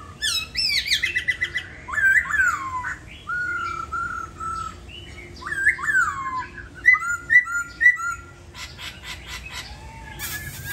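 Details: A laughingthrush kept caged in Hanoi, Vietnam, tail feathers in moult, sings a lively, varied song: bursts of high chattering notes, descending slurred whistles and repeated clear phrases, with short pauses between them and a faint rustle at the close.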